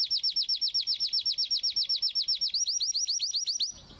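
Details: Crested canaries kept as pet birds, singing while mating: a fast, even trill of bright, high, down-slurred notes, about four per second, that speeds up slightly before stopping abruptly.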